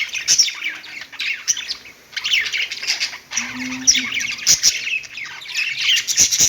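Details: Singing pet budgies on a perch: continuous twittering, squeaky warble with occasional clicks, and a brief low steady tone partway through.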